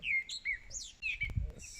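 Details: A Groundscraper Thrush in a tree directly above a spotted hyena den at Mala Mala Game Reserve, South Africa, sings short, clear whistled phrases slurring downward, several in quick succession, over a low rumble with one sharp tap.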